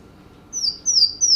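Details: Louisiana Waterthrush song played during a lecture on West Virginia forest birds: three high, clear, downslurred whistles about a third of a second apart, over a faint steady hum.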